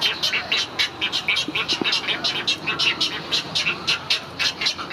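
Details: Young great egrets clamouring for food from their parent at Gatorland on 15 April 2021: fast, grating ticks and clucks tumbling out almost continuously, some two dozen bursts in five seconds.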